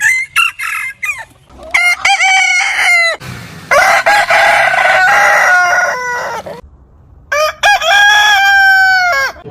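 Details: Several roosters crowing in turn, some overlapping: short choppy syllables leading into drawn-out harmonic crows, one rough and noisy, the last rising then held and sliding down at the close.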